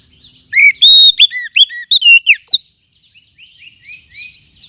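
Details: Forest oriental magpie-robin used as a lure and as a tutor for other songbirds. A loud two-second string of ringing whistles and chips is followed by a quieter series of short rising notes repeated about every half second.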